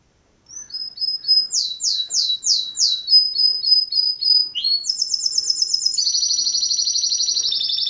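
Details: A caged canary in Sarajevo sings a fast, high series of tours: quick repeated chirps, sweeping rolled phrases, then long buzzy trills, all clear with no other sounds.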